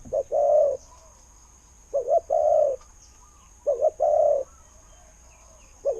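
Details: Khu-ang style calling of a spotted dove used as a trapping decoy, said to have a good voice that attracts wild doves. Repeated low hollow coos, each a quick stutter into a longer note, come roughly every two seconds.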